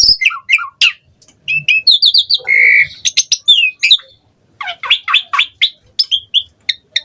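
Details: Asian pied starling in full chattering song packed with varied fill-in phrases, played as a lure to set other starlings singing: quick squawks and chirps, a sustained buzzy note near the middle, then rapid clustered whistles.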